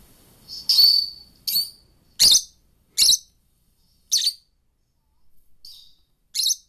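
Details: Two pet lovebirds, caged at home and perched by a computer, chirping back at lovebird song played on it: short high shrill chirps and squeaks, about seven bursts spaced roughly every second, with quiet gaps between.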